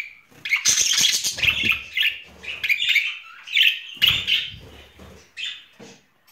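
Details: Budgerigar couple courting in spring, pet birds: chirpy warble with grating buzzy phrases and squeaks, loudest early, fading toward the end.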